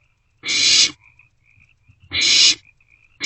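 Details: At night in a nest box, a barn owlet begs as siblings share a meal on 27 March 2024; two long rasping hisses roughly 1.7 seconds apart with soft high twitters in the gaps.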